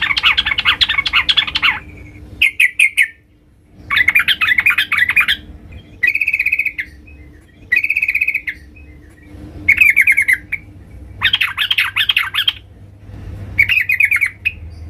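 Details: Female sooty-headed bulbul calling the male, giving chattering bursts of rapid, harsh notes that alternate with shorter runs of clear, repeated chirps, each phrase separated by brief pauses over fifteen seconds.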